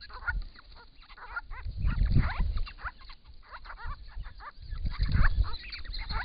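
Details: Wild Grey-crowned Babblers, a group of six, calling to each other while drinking and bathing at a pond in regional Victoria, Australia, in hot weather, recorded by camera trap; rapid curved chattering notes tumble over heavy low rumbling and splashing.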